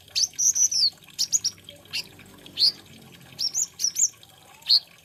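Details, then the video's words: Olive-backed sunbird, the kolibri ninja or konin of Indonesian bird keepers, giving a lively high-pitched song of sharp chips, short buzzy trills and whistled notes, spaced in bursts across the recording. "BIKIN GEMES SUARANYA BURUNG KOLIBRI NINJA / KONIN INI.INDAH DAN PENUH ISIAN"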